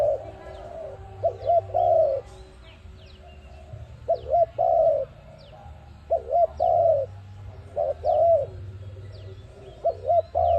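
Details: Repeated cooing from an ARIMIX dove used for trapping: about five phrases, each short paired coos leading into a longer level coo, spaced roughly two seconds apart, with scattered high chirps of small birds and a low background drone.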